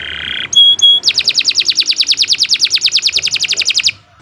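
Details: Long, vigorous canary song meant for training young birds to sing: a brief mid-pitched tone, two sharp high notes, then an even, very rapid trill of bright pulses for about three seconds before it stops.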